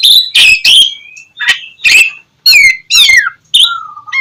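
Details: Oriental magpie-robin song for prompting lazy birds to sing in the morning; loud harsh notes alternate with downslurred whistles in separate bursts, ending on a soft falling whistle.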